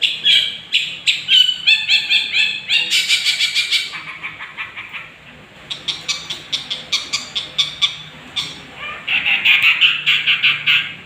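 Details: Lure recording of a young long-tailed shrike meant to rouse rival birds: bursts of scratchy, chattering notes, a loud buzzy outburst near three seconds, a brief lull, then renewed rapid repeated notes.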